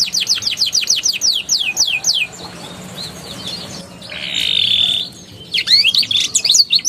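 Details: Canary youngster song used to stimulate juveniles that stopped singing: a quick series of falling whistled notes, a pause with only background hiss, a short buzzy burst, then jumbled twittering notes at the end.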